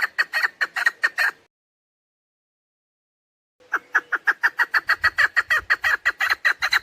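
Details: Hunting lure sound of a female chukar partridge: short burst of rasping clucks, silence, then a longer steady series with faint low background rumble.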